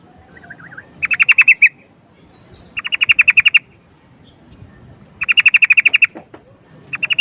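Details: Sooty-headed bulbul (trucukan) calling: bursts of rapid, bright, chattering notes, about eight to ten per burst, each burst lasting under a second and repeated every two seconds or so, over a quiet low rumble.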